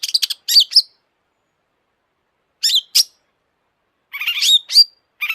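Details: Long-tailed shrike song, meant to provoke other shrikes into singing: brief clusters of sharp, high chattering notes and a wavering whistle, separated by pauses of one to two seconds.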